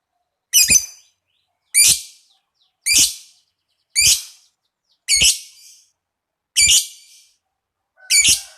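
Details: Lovebird sound for stimulating other lovebirds: seven harsh, squeaky bursts, each under half a second, repeated about every 1.2 seconds in a quiet setting.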